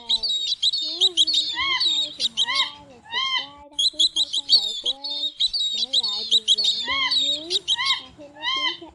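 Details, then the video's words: Indian pheasant-tailed jacanas, a male and female with chicks calling during 2024 migration, give nasal, mewing notes that bend up then down in quick overlapping bursts, over a steady high, thin chattering from several birds. "Tiếng Gà Lôi Nước ẤN ĐỘ Trống mái kèm con con kêu"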